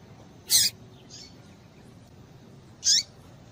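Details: Female papa-capim call used to stir males into singing: a sharp high chirp, a faint softer note, then another chirp with a brief downward tail, over low background hiss.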